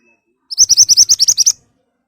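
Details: Piercing song of an ashy tailorbird, used as a lure to make other birds respond: about ten fast, evenly spaced, loud high notes in a single burst lasting just over a second, with clean silence around.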